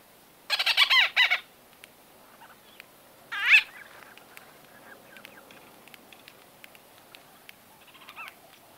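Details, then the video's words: White-fronted bee-eater conversation at medium close to close range: a rapid chattering burst of nasal squeaks, a single louder call a few seconds later, then faint distant calls against a quiet background. "White-Fronted Bee-Eater. NB: Exact Date Of Recording Not Known. MCU-CU Conversa"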